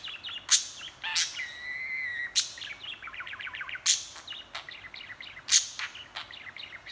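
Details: Budgie talking and chattering: sharp clicks, a sustained whistled tone, then rapid babbling chirps and warbles repeated in bursts.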